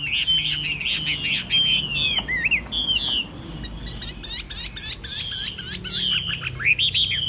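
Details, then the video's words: A tame Chinese hwamei, just out of its cage and not yet bathed, sings on a table: a loud, rich run of varied whistles, slurred trills and sharp rising notes, delivered continuously with barely a pause. "Đặt bàn sách tay đặt đâu cũng hót"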